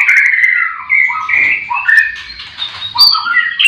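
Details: Captive white-rumped shamas singing at a breeding farm in the morning: smooth, drawn-out whistled notes step down and up in pitch, with softer overlapping phrases between them.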